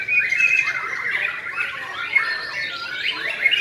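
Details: White-rumped shama delivering sujud-style song. Powerful unbroken stream of varied whistled notes, fluty slides and buzzy chattering trills, with the pitch shifting constantly, on a clean quiet background.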